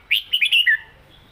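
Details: {'text': 'A single rapid phrase from a caged red-whiskered bulbul in southern Thai song style, about five sharp whistled notes rising and falling, ending on a lower slurred note.'}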